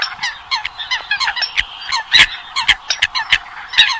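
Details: Eurasian coots heard on a night net-trapping lure from Vietnam: rapid, uneven runs of short croaking honks from several birds, rising to louder sharp calls in the second half.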